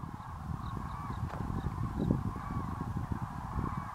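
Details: Evening chorus of more than 40,000 wintering Common Cranes taking off to roost over the Great Rann of Kutch grassland, January 2013; a dense, unbroken wall of trumpeting calls sits under heavy low rumbling and thumping noise.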